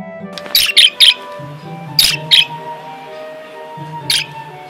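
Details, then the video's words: A budgerigar gives short, bright, scratchy chirps: a quick trio, then a pair, then one more, over soft background music. "Parakeet Sounds and Their Meanings"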